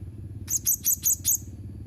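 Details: Quick run of five bright, thin, squeaky notes from a blue-crowned hanging parrot, evenly spaced and very high, over a steady low hum.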